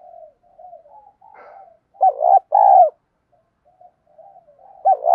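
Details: Spotted dove singing in the thổ đồng voice style, a lure call used to stir up and train new captive birds to coo; soft, wavering low coos, then two loud, drawn-out, bowed coos near the middle, another loud coo starting at the end.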